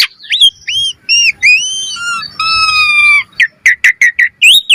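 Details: Training lure of Asian pied starling song: arched whistles, long drawn-out flat whistled tones with a scratchy edge, then a burst of short rising and falling chirps.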